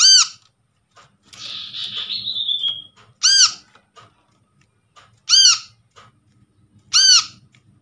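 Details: Brown-throated sunbird, wild-caught and untrained, recorded as a lure for sunbirds that have stopped calling: a long buzzy note sliding downward, then three harsh arched chirps about two seconds apart.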